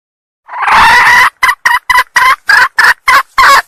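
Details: Sumatran red junglefowl hen lure call for males: a drawn-out rough note followed by eight short, evenly spaced harsh clucks.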